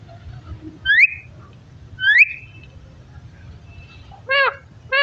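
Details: Parrot talking: two rising whistles about a second apart, a pause, then two short wavering voice-like calls near the end, over faint room noise.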